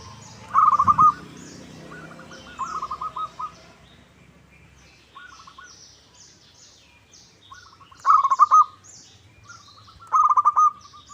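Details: Lure call of a local zebra dove, meant to make rival doves answer: several stuttering coo phrases of quick repeated notes, some loud and ringing, others softer, separated by pauses of one to three seconds, with faint higher chirps behind.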